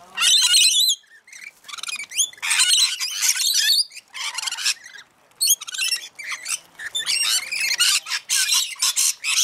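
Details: Feeding frenzy of rainbow lorikeets at Mount Tamborine, Queensland: a chaotic chorus of shrill, grating squawks and chattering trills from many birds, in irregular loud bursts with short lulls.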